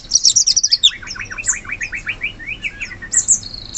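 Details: Sooty-headed bulbul (cucak cungkok) from the forest: a rapid run of high chirps, then a steady series of short, falling whistled notes repeated about every quarter second, with thin high twitters over the top.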